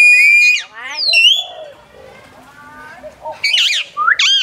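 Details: ['Common hill myna at Phnom Tamao Zoo in Cambodia, a bird that can speak, gives a loud nasal call and a falling whistle. Softer, murmured voice-like notes follow, ending in harsh, wavering squawks.']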